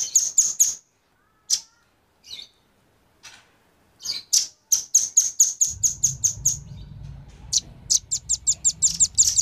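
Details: Lure recording of male and female velvet-fronted nuthatches. High, piercing chips are spaced out at first, then build into quick regular runs over a faint low hum.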